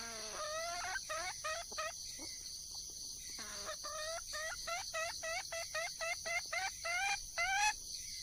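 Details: Wild junglefowl hen calling to attract a mate: a fast, uneven string of short rising harmonic notes, nearly two per second, with a few lower drawn-out notes between, against a steady high-pitched insect chorus.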